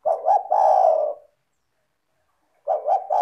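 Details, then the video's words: Clear, melodious spotted dove song used to lure other doves: low double-stuttered coo and a long drawn tone, repeated after a silent gap. "LANGSUNG IKUT BUNYI dengan PANCINGAN suara tekukur gacor rapat merdu dan jernih"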